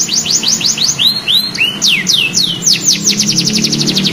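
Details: Canary youngster learning its song, responding immediately: rapid downward-swept whistles, then several clear rising and falling slurs, then an accelerating run of sharp high notes; soft low rumble in the background.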